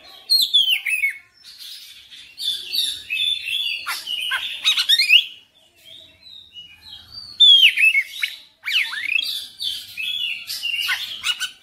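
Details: Oriental magpie-robin in vigorous song, loud ringing whistles mixed with buzzy chatter and quick sweeping notes in bursts separated by short silences.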